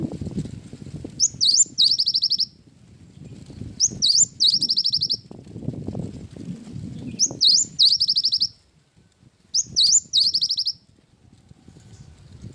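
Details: Actively singing cinereous tit with wingko-type phrases. Four identical phrases come roughly every three seconds: a high whistle, a V-shaped swoop, then a fast string of piping notes. Faint low background noise fills the gaps.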